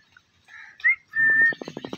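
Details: Three parrots calling together. Soft chatter and a short rising whistle lead into a long, steady whistled note, followed by a quick series of rhythmic clicking pulses.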